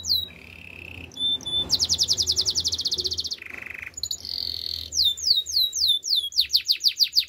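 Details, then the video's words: Training song from a canary, moving through steady buzzy trills at several pitches, a low rattling roll, then rapid series of sharp downslurred whistles in clear, quick succession. "Bird sounds canary chirping! Canary training song"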